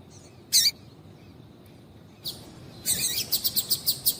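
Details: Calls of a female double-collared seedeater, used to set males singing: a loud high double chip, a pause, a softer note, then a rapid even series of about eight bright chips.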